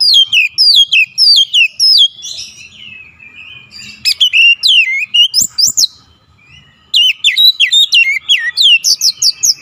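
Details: Oriental magpie-robin in insistent full song, pouring out its isian repertoire: quick runs of bright, downward-slurred whistles and sharp high chips, a quieter warbling pause mid-way, then another dense burst of ringing notes.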